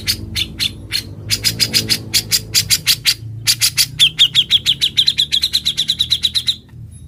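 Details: Grey-cheeked bulbul song kept as a tutor recording for training other songbirds: harsh broadband chattering notes in rapid series, then a long run of sharp repeated chips near one pitch, steady and fast, with a faint low hum beneath.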